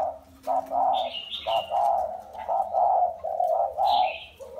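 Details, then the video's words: Wild-caught spotted dove kept caged for four years, cooing: a run of low, hollow coo notes in quick succession, with short higher chirping bursts overhead and a faint low hum beneath. "Gáy bổi 4 năm lồng"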